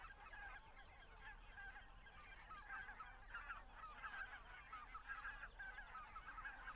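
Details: Greater white-fronted geese in flight during migration in Estonia, en route to Arctic breeding grounds; a crowded flock chorus of short, laughing, yelping honks that swells in the second half, over a low rumble.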